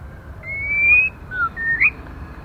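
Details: Female white-rumped shama, calling to stimulate males: one long, slowly rising pure whistle, then a short falling note and a brief emphatic rising whistle, over faint low hum.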